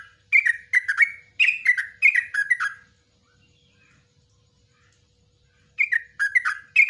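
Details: Bubbly chattering phrases from a yellow-vented bulbul in nguklik ngecruk ropelan style, a training song for cage birds, stopping for about three quiet seconds before the liquid notes start again.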